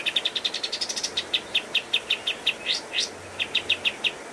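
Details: Cage-bird training master recording of a pied triller in full song: a rapid trill climbing in pitch, easing into evenly spaced high chips broken by two sharp upward sweeps.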